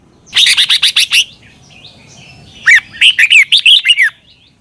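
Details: Thai caged Red-whiskered bulbul, recorded for training birds: a fast run of sharp clipped chirps, then a pause and a longer phrase of loud, looping whistled notes rising and falling.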